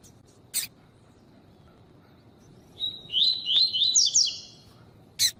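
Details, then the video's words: Double-collared seedeater (tui tui song type) recording with a female, used for training captive birds: a brief, fast, two-second phrase of high, sweet, slurred whistles, with sharp clicks before and after and a low background hum. "CANTO TUI TUI PARA ENCARTE 🟢🟢ÁUDIO COM FÊMEA - TURBINE SEU COLEIRO"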